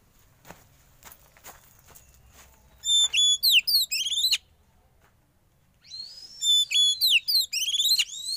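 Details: Young wild-caught black-and-white kacer, or Oriental magpie-robin, kept under sauna therapy, delivers two rapid runs of loud, high whistled notes sweeping up and down, separated by a short silence, over soft clicking background.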